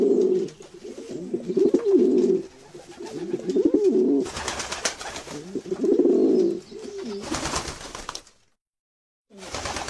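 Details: Domestic pigeons repeating deep, rounded coos roughly every two seconds, then loud flapping noise, a brief silence and more rustling.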